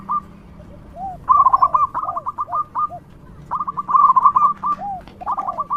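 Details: Local zebra dove singing loudly as a lure for other doves, with stuttering bursts of bright clipped whistles mixed with soft, low, rounded cooing notes.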